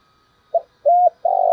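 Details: Spotted dove used as a decoy bird gives a short coo, a level sustained coo, then the start of a long rough trilled coo, in a quiet setting.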